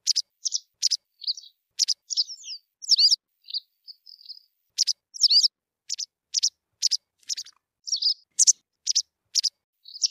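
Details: A white wagtail (Motacilla alba) twitters a lively song of sharp, high chirps and short warbled phrases, several notes per second with brief pauses, against a quiet background.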